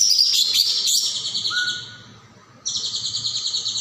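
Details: Golden-bellied gerygone (caijo) singing vigorously, recorded as a training song for other songbirds: high, fast buzzy trills with a brief thin whistle, a short pause, then a renewed rapid pulsing trill.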